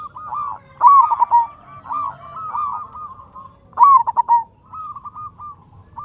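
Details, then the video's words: Singing local zebra dove, a perkutut lure recording meant to stir other doves into replying: two loud phrases, each opening with quick stuttered coos and trailing into softer drawn-out hoots, about three seconds apart. "Perkutut Lokal Gacor RAJA PIKAT Ahlinya Bikin Semua Burung Perkutut Nyaut"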